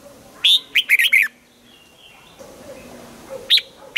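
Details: Morning song of a red-whiskered bulbul in training for a wild-style double-note song: a fast phrase of five or six clear, bouncy whistled notes, then a pause, with two more short notes near the end.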